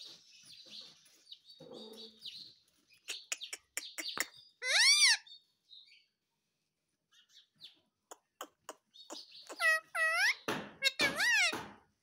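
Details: A pet parrot mixes soft chatter, clicks and short ticks with a loud arched squawk midway, then a burst of rapid, rising and falling squeals and sharp clicks at the end.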